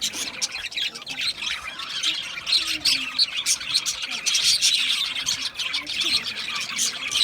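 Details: A group of Australian budgies produces dense, grating chirps and soft squawks in a steady stream, with a few lower warbled notes beneath the high chatter.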